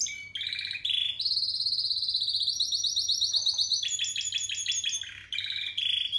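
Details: Song of a 2017 Spanish Timbrado canary: short opening notes, then a long, fast, rising, bell-like trill broken into stepped sections, closing with brisk repeated chirps.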